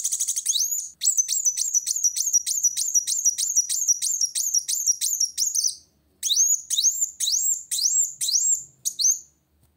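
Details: A long rapid chattering run of high sharp notes from a Van Hasselt's sunbird singing at a rival, followed by a spaced series of separate rising whistles.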